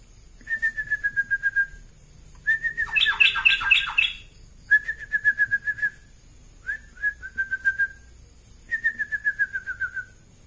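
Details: Tame sooty-headed bulbul, kept as a pet, shown spreading its wings, giving bursts of rapid, evenly repeated clear notes at a steady pitch, with one louder, harsher chattering burst, separated by short pauses; faint steady high hum behind.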